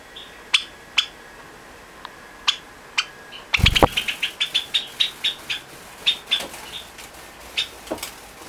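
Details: Java sparrow chick, August 2009, calling to companions in the next room; owner hopes the voice means a female. It gives short, sharp high chips, spaced then faster, about two a second, with a brief rustle or flutter midway.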